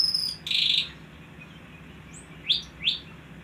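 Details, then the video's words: Pied triller singing persistently: a harsh buzzy burst, then two short sharp upslurred chirps about half a second apart, with a thin high whistle at the start and a steady hiss behind. "BURUNG CANGKELING II GACOR SAMPE TELER"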